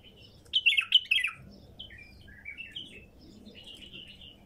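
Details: A wild female bulbul sings. It opens with a strong, rapid cluster of bubbling whistles, then gives scattered lighter chirps and short warbled phrases that fade out; low hum underneath.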